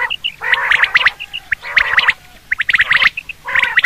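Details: Hunting call of the common quail: growling, buzzy bursts packed with rapid bright ticks, repeated four times with near-silent gaps.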